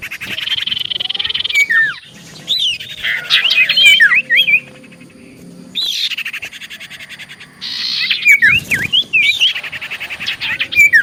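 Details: Common iora song played as a lure to draw replies: long harsh buzzy trills alternate with clusters of sweet, twisting whistled notes that leap and drop, the pattern repeating about every four seconds.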